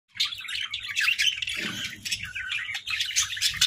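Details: Japanese Hagoromo budgerigars warble in a busy, scratchy chatter of chirps and squeaky notes.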